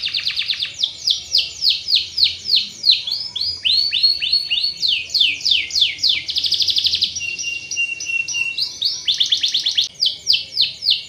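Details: Canary song used as a lure to get other canaries singing often and rolling: rapid downward-swept high notes repeated about three per second, a dense buzzy trill midway, then another quick run of sweeping notes.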